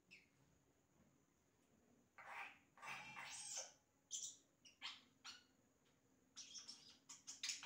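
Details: Yellow-rumped cacique song of imitated sounds: quiet opening, then loud harsh rasping bursts and scattered sharp chirps and whistles, growing denser toward the end; faint low hum in the background.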